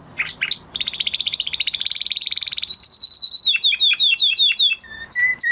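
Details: Canary singing after its moulting period: a fast buzzy trill, then a long string of rapid repeated chirps around mid-high pitch, closing with clear whistled notes and sharp high flicks.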